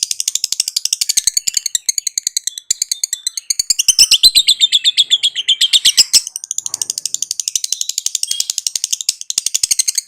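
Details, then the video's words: Lovebird giving a long ngekek chatter: a continuous rapid series of piercing high chirps. Sections grow louder and shriller midway, then settle back into a steady, fast, metallic rattle. "LOVEBIRD LANGSUNG NGAKAK NGACOR NGEKEK"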